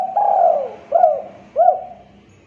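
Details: Spotted dove, called tekukur, gives a lure call meant to draw answers: one long, swelling coo and two shorter, clipped coos, soft and hollow, over a faint steady hum.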